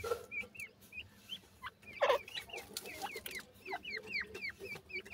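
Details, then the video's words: Chicks of the grey francolin (Indian gora teetar) peeping: repeated thin, high chirps that dip and bend, coming in quick clusters, mixed with a few lower clucks and a brief rustling burst. "grey pheasants chicks sweet awaz,indian gora teetar chicks"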